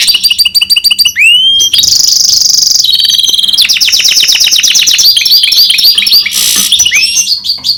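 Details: Goldfinch crossed with canary singing continuously: quick chirps and upswept whistles, long harsh buzzy rolls and rapid repeated trilled notes, loud and unbroken throughout.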